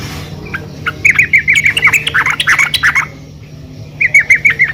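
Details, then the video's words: Calling female yellow-vented bulbul, used to draw other bulbuls into singing: a rapid run of bright, bubbly chattering notes lasting about two seconds, then a short pause and a briefer repeated burst. "PANGGILAN BURUNG TRUCUKAN BETINA GACOR"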